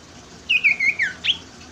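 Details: Common Iora song used as a lure to prompt reluctant birds to sing: a brief run of bright whistled notes, a wavering high phrase falling away, then one sharp rising-falling note, over a low background hiss.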